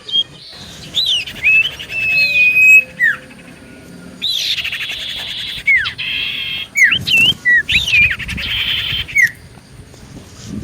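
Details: Actively singing common iora, played to provoke other ioras into replying: clear descending whistles alternate with harsh buzzy churrs and quick up-slurred chirps in short bursts.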